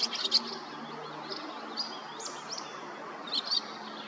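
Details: Barn swallow calling: short, sharp high chirps in a quick cluster at the start and again near the end, with a steady soft background hiss and faint murmur between calls.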